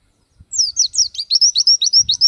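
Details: Oriental white-eye in full voice, a pleci bird used for song tutoring: a fast string of about a dozen high, slurred notes, each dipping then rising, delivered evenly and loudly.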